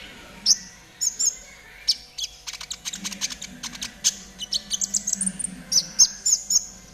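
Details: Gacor konin of the trotol type, a master track for caged birds: scattered high whistles giving way to fast, dense chattering chirps and sharp repeated notes, with a low hum.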